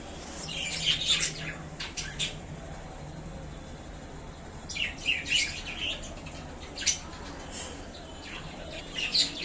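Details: Caged budgerigars settled in their new home chirp in quick clustered bursts of high squeaky notes, separated by brief pauses, over faint constant background hiss.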